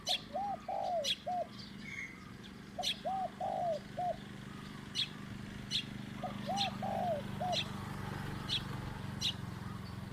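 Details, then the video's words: Spotted dove coos during decoy luring, medium-pitched style: three evenly spaced phrases of three or four hollow arched notes, with frequent sharp high chips from another bird and a steady low hum. "ต่อนกเขาใหญ่เจ้าตี๋เล็กจัดเชลย 1 กุ๊กเสียงกลาง"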